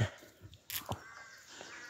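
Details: Rook calling around 5 am on 25 May 2024 in Pulford, Chester, Cheshire, England, during the dawn chorus while rooks nest and feed young in nearby trees; one short, harsh caw, with low rumbling noise and faint birds behind.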